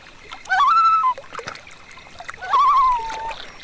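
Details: A Common Loon on misty, still water near a meadow in the morning gives two drawn-out, wavering calls about two seconds apart, the second quavering before it slides lower; faint water sounds beneath.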